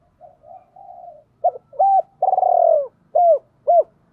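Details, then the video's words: Decoy spotted dove cooing to draw females: soft low murmured notes open the phrase, then a clipped note, a flat coo, a long buzzy rolling coo and two loud arched coos. "Chim Cu Mồi cu moi chuan gáy gọi hai hậu mới nhất"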